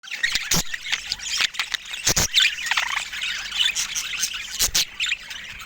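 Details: Budgerigars chattering together in a dense, overlapping stream of high warbles, chirps and scratchy notes, broken by sharp clicks and knocks.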